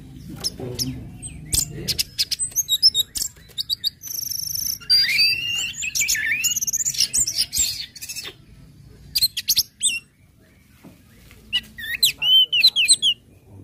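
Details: Orange-headed thrush ngecip, ngecit and ngeplong song, meant to trigger other birds to sing; sharp ticking clicks, then a run of high whistles and rich warbled, looping phrases, falling quiet before further clicks and twitters.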